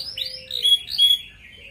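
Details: Brief phrase from a red canary's 'gacor ngerek' master song, meant to stimulate breeding in flock-kept canaries: clear rising and falling whistled slurs, sweet and bright, with no other sounds.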